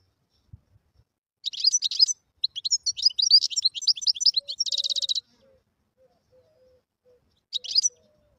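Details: Wild European goldfinch singing: three bursts of rapid, high twittering notes, the middle one a long run ending in a fast buzzy trill, with a series of soft, low steady tones underneath.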